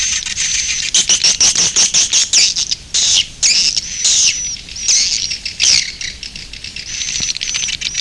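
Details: Swiftlets (Aerodramus fuciphagus), edible-nest swiftlets, give a dense, high twittering chatter of rapid chirps and buzzy trills in overlapping bursts, with no other sounds.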